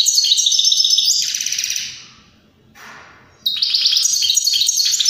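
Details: European greenfinch singing to encourage other birds to sing and breed. Dense, high, rattling twitters stop for a moment of near quiet, then resume as another strong trilled phrase.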